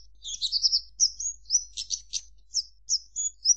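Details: Branjangan, the Javan bush lark, delivering a short burst of high scratchy notes and thin whistled slurs spaced in quick irregular bursts.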